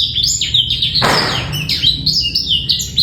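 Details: Male black-throated canary song used to tutor young birds and ready females for breeding, without trills: rapid high twittering phrases interrupted near the middle by a short burst of broad rustling noise.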